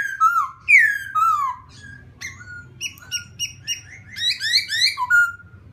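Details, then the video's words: Laughingthrush singing, used to provoke another bird: loud whistled phrases sliding downward, then short repeated rising notes, then a run of bright trilled whistles, with a low background hum. "khướu kích bổi hiệu quả 100%"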